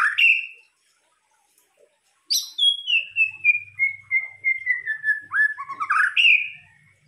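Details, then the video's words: White-rumped shama lure song: a loud rising whistle, a pause, then a long run of clear whistled notes sliding slowly downward, ending in quick rising phrases. "pancingan murai batu"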